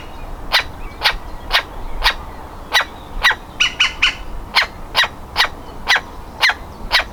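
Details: Young woodpecker, about to fledge, calling from inside the nest hole: crisp, loud single notes repeated evenly around twice a second, with a short burst of fast, harsher notes midway.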